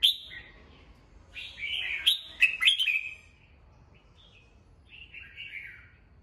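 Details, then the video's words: Captive red-whiskered bulbul giving morning song meant for voice training and stirring birds up. One dense, jumbled run of clear whistled and clicking notes is followed by softer trailing warbles and near silence. "Chào mào hót sáng, luyện giọng chào mào, kích bổi vào lửa"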